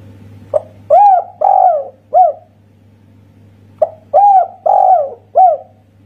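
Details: Spotted dove, Indonesian local type, giving two complete 'kuk satu' phrases about three seconds apart, each a soft lead note, two long hoarse coos and a short final coo; low steady hum behind.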